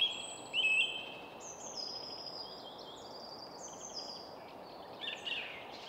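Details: Song thrush perched on a spruce top in quiet woodland near Stockholm, Sweden, singing loud clear whistles followed by softer high thin phrases and a final buzzy burst, with a low hum of city traffic throughout.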